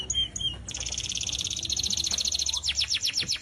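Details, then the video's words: Atlantic canary kept without a cage, singing a master song for training other birds: a few short notes, then a fast, even trill of bright chirps, ending in quick descending sweeps, with faint low background noise. "burung kenari gacor tanpa sangkar cocok untuk masteran"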